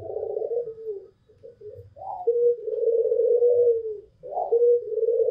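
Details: White long-cooing (pelung) Barbary dove with a local Barbary dove, described as singing freely: low, hollow, steady coos, each about one to two seconds, opening with a short upturned note, repeated with brief pauses.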